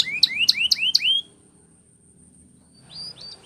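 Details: Belgian canary singing a training song: four quick, bright rising whistled sweeps, each about a quarter-second apart, then over a second of quiet before soft, thin high notes return at the end.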